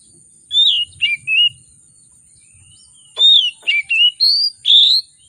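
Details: Fired-up oriental magpie-robin in full varied song, meant to draw out quiet birds: two bursts of clear whistles, sweeping and slurred notes with short gaps, separated by a two-second pause, with a thin steady whine behind.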